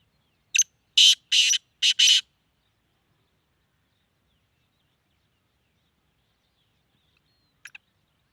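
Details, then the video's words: Black francolin from Sindh, Pakistan giving five harsh, grating notes packed into a quick two-second burst, then a long silence and a faint doubled note near the end. "Kala Teeter sindh Pakistan"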